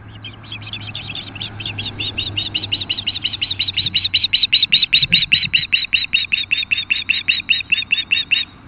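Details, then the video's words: Nesting osprey pair at a nest camera on the Kootenay River west of Nelson, British Columbia, alerting against an intruding osprey at 10:00am on 8-7-2015. High whistled chirps repeat about three per second, swelling louder, with a low hum underneath. "Nelson BC Osprey Nellie & Arrow defend intruding osprey"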